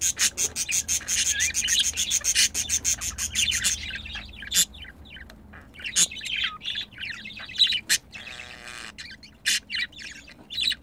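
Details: Budgerigars during mating: a fast series of sharp ticking clicks with chattering under it, then scattered squeaks and short warbled notes.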